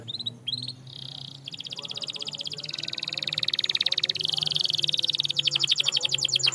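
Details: Canary song used to coax a silent canary into singing: a soft opening, then a long rapid rattling trill that builds in loudness and changes speed, over a faint low hum.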